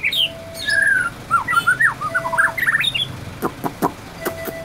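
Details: White-rumped shama imitating canary song: a varied run of quick whistled slurs and chirps, rising and falling notes tumbling together, ending in sharp clicking notes.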